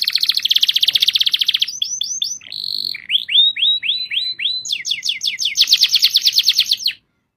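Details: Singing canary delivering a long rolling trill, a short buzz, a series of quick upward-slurred whistles, then another rapid bright trill before falling silent.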